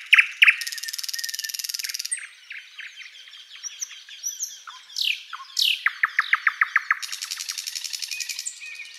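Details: Wild thrush nightingale in spring woodland at sunrise, opening with a dry buzzing rattle, then thin whistles, downslurred notes and a fast burst of repeated clicks before another long rattle.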